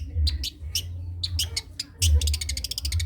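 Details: Long-tailed shrike singing in the cendet trotol style, offered as a master recording for other birds to copy: scattered sharp chirps, then a fast run of clipped repeated notes, over a steady low hum.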